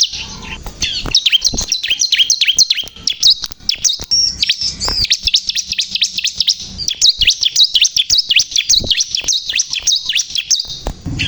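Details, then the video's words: Energetic song of a bar-winged prinia, known locally as ciblek kristal: long, busy streams of thin, high chirps and swooping notes, with brief faint clicks and rustles beneath. "burung ciblek kristal gacor"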